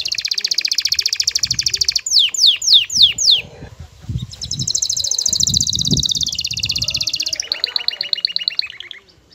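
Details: Courting male canary in breeding excitement, singing to a female: a fast high trill, then five sharp descending sweeps, a long even rattle, and a shorter buzzy trill to finish.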